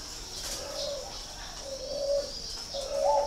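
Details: Spotted dove from a bird-breeding farm in Ba Vì, Hanoi, northern Vietnam, giving soft low coos, three drawn-out notes about a second apart, the last slightly rising, over a steady high-pitched whine in the background.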